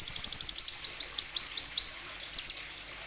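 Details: Plain sunbird singing to prompt other sunbirds to sing: a fast series of very high, sharp notes that turn into slurred, arching whistles, then two brief chips after a short gap.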